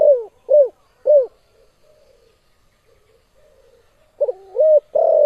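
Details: Spotted dove's strong call meant to beat rivals: three short down-slurred coos close a phrase, faint murmuring fills a long gap, then a new phrase opens with a stuttered, sliding coo.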